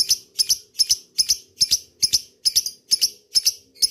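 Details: Lovebird calling a rival, used as a lure in ngekek style: shrill, high double chirps repeated roughly every 0.4 seconds, giving an even, rapid rhythm.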